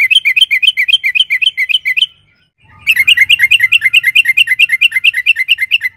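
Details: Yellow-vented bulbul, a lure recording for prompting birds to sing, long rolling 'ropel panjang' style: rapid runs of bubbly chirped notes, about two per second-half, a short pause, then a longer, faster chattering run.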